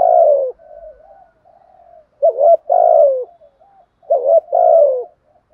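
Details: Spotted dove decoy cooing in the thúc gù style. Deep, wavering coos come in close pairs, each with a short, sharp lead note. Soft, low murmured coos fill the gaps between the louder phrases.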